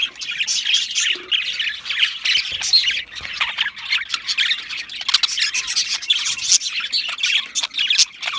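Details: Budgerigars squawking and chattering loudly, harsh grating notes and buzzy warbles repeated densely and unbroken.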